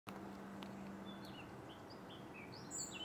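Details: On 27 June 2023 at Močilnik, Vrhnika, a European robin sings faint, thin, high phrases of short varied notes over a steady rushing sound like running water and a low hum.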